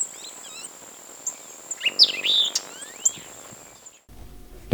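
A White-eyed Vireo gives one quick, jumbled phrase of sharp chirps and slurred notes with a hard tick, over a steady high insect hum.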